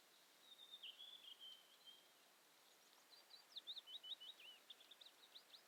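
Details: Western yellow wagtail (Motacilla flava), call.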